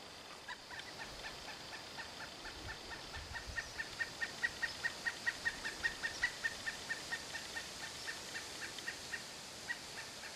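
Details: A Pileated Woodpecker, September, gives a long, loud series of ringing 'kuk-kuk-kuk' notes, building in strength then fading over about eight seconds, against a steady background hiss.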